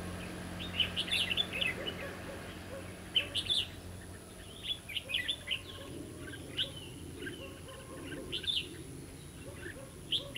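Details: Red-whiskered bulbul during trapping on 11 November 2016 gives lively, bubbly phrases of sharp chirps and short warbles. They come in bursts every second or two across the whole stretch, over a faint steady low hum.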